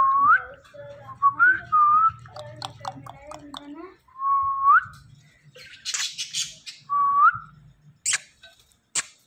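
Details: Indian ringneck parakeet, a pet talking parrot, repeating short rising whistles, four or five sharp upslurs mixed with chattery speech-like sounds, rustling and a few clicks.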